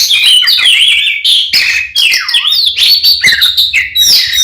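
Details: Oriental magpie-robin in an intense 'ngeplong' fighting song meant to enrage other males: unbroken torrent of loud, varied whistles, buzzes and swooping slides, with one note falling low and rising again.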